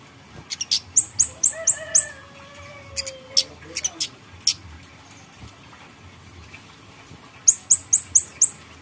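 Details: Grey-headed canary-flycatcher song played as bait to make birds sing: repeated runs of four or five high, quick down-slurred whistles with sharp ticks between, and a rooster crowing in the background.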